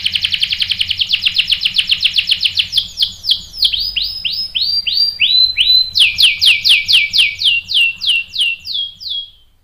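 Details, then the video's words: Canary song used as a lure to provoke males to sing: fast series of high downward-sweeping chirps, repeated about four per second, shifting into slower looping notes and a brighter trill near the end. "PANCINGAN KENARI GACOR bikin EMOSI jadi NYAUT NGEROL TAJAM | CANARY SINGING"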